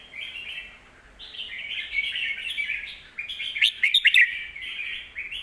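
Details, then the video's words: Red-whiskered bulbul kept in a cage, its song played to teach young birds. Two rolling warbled phrases separated by a brief pause, the second ending in a cluster of loud, sharp chirps. "นกเสียงทอง วางเพลงใต้เสียงโตๆ(ไว้สอนลูกนก)"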